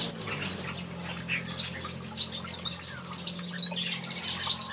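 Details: Thin, high tweets of finches in a backyard aviary, spaced irregularly over quieter chatter, with a steady low hum in the background.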